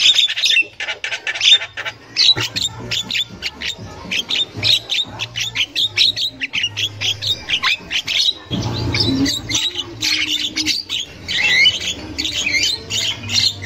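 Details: Wild Javan myna, female chatter in a highly vocal bout: rapid strings of harsh squawks, clicks and short whistles repeated many times a second, bursts broken by brief pauses, over a faint low hum.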